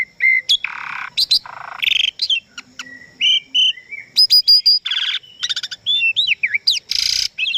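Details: Asian pied starling pouring out a rich, dense song of harsh rasps, buzzy bursts, clear whistles and rapid clicking runs, changing sound every fraction of a second.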